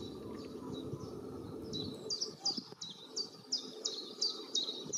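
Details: A pair of long-tailed tits gathering feathers for their ball-shaped nest, recorded from afar: high, thin, sharply falling notes repeated about three times a second, growing louder and clearer midway, over soft low background noise.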